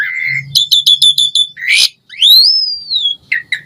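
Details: Asian pied starling singing a varied phrase: a steady low whistle, then a fast series of clipped chirps, a harsh burst, and a long clear upslurred whistle that rises and slowly falls, ending with short chirps.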